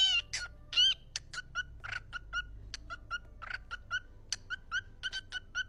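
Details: Parrot talking, with a rapid series of short, sharp vocal bursts repeated about once a second, in the manner of a word said again and again, over low background hum.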